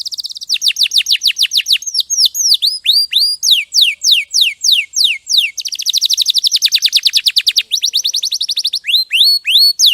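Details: Canary (kenari) song used as master training material: a long continuous stream of fast trills, falling and rising whistled sweeps, and rapid repeated high notes, switching motifs every second or two.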